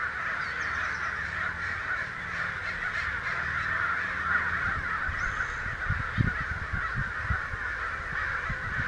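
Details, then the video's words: Roughly a hundred American crows mobbing in Santa Rosa on May 29, a continuous chorus of raspy caws from many birds, with low rumbling and thumping noises in the second half. "Crows Excited"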